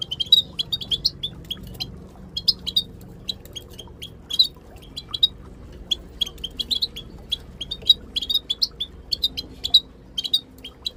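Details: Group of Moroccan goldfinches with female calling, meant to prompt silent birds to sing: dense clusters of quick, high, twittering chirps in rapid runs, pausing briefly between bursts, steady low background hum.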